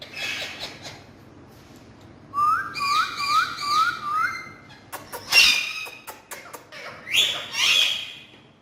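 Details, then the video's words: Talking parrots kept as pets, several birds: a run of five clear whistled notes, each rising then dropping, followed by sharp clicks and a harsher, buzzy squawking call near the end, in a quiet room. "Amazing Full Naughty Talking Parrots"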